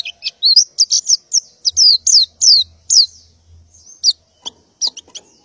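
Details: In morning light a breeding-condition female white-eye calls for males with spaced, high sharp chirps and down-slurred whistles, a faint low hum beneath, ending in a few clicks.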